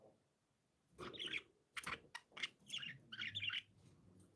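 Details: Happy, playful pet budgies chirping: quiet, scratchy warbled bursts with clicks and broken twitters, starting after a second of near silence and running in short bouts separated by brief pauses.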